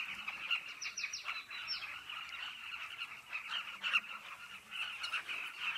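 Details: At a cliff colony, Carmine bee-eaters keep up a dense stream of throaty calls while a few quick, high, sliding whistles from another bird cut in early on.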